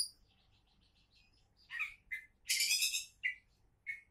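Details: Kacer (Oriental magpie-robin) described as a champion candidate: a soft rapid series of high repeated notes, then a loud buzzy rattling burst flanked by short whistled slurs.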